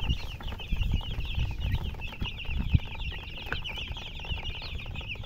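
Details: Chirping chickens in company with a hen, a busy stream of short high peeps over low background rumble and scattered knocks.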